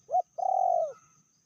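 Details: Medium-voiced call of a female spotted dove, described as fiercer than the male: one short rising note, then a long, level, drawn-out coo that drops slightly at its end.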